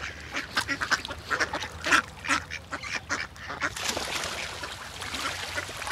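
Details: A group of ducks on the water, swimming with great white pelicans, quack together: a strong burst of overlapping nasal calls in the first half, then a rushing, noisier wash of fainter calls.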